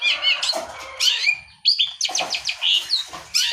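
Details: Long-tailed shrike song of harsh scratchy notes interleaved with quick clear whistles and short rising chirps, delivered in uneven bursts.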